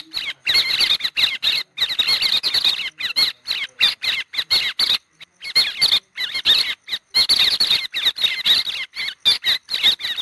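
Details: White-headed héc xoan flock call, from a species that moves in flocks of tens to hundreds from early December: a dense, excited chatter of high squeaky notes from several birds in quick bursts broken by short silences.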